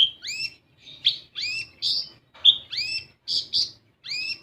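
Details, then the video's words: Kolibri ninja (olive-backed sunbird) singing as a lure for untrained birds: sharp metallic chirps and arching whistles repeated roughly twice per second in a lively, even run. "Pancingan Kolibri Ninja Bahan Agar Bunyi"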